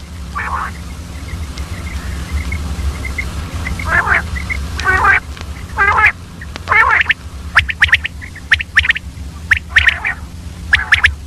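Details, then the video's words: Early-morning calls of a female common quail: soft, rough, voice-like murmurs give way to a run of sharp, clipped chirps with brief hooked whistles, loosely repeated about once per second. "Common Quail Calling Early morning , Female Batair Ki Awaz"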